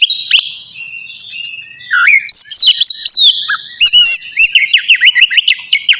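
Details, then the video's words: Kacer navy oriental magpie-robin singing ahead of its bath: soft thin whistles build into loud swooping phrases, ending in a rapid series of sharp repeated chirps. "KACER NAVY GACOR SIAP MANDI"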